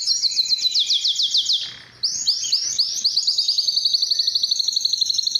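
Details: Canary singing to attract females for mating, used to train other canaries: fast, high trilled rolls of rapidly repeated notes, changing pitch after a brief pause.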